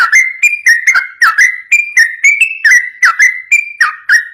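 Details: Ropel-style song of a yellow-vented bulbul, used to set other bulbuls singing back: short liquid whistled notes in quick pairs and triplets, steady and unbroken, with slight pitch shifts between phrases.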